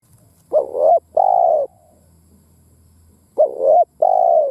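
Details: Decoy spotted dove cooing in the driving 'thúc gù gáy' style, used to stir other doves to call: two paired phrases, each a short wavering coo and then a longer steady lower coo, separated by a pause of about two seconds.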